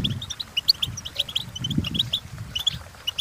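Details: European goldfinch training song: steady stream of high chirps and tinkling notes at moderate volume over noticeable low-pitched background noise.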